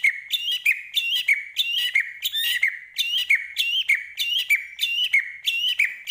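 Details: White-rumped shama from Medan repeating a bright chirping phrase about every half second, each a quick rising-falling whistled note with sharp high overtones, steady and insistent.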